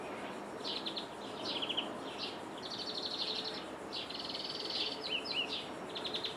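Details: European greenfinch in Jordan, heard from a window: bouts of rapid high trills and twittering notes, with a brief buzzy rattle, repeated across the recording over a steady background hiss.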